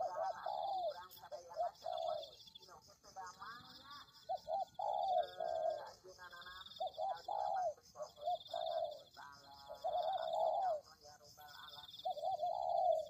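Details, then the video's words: Spotted doves cooing on a recording made to lure the birds: a long run of soft, rounded coo phrases rising then falling, closely packed with busier overtoned notes, over a constant high-pitched insect-like drone. "Pikat Tekukur"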